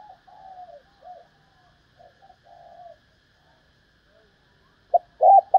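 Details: Female spotted dove calling to stimulate males: soft, slightly wavering coos in short phrases across the first three seconds, a quiet pause, then a loud burst of rounded coos at the end.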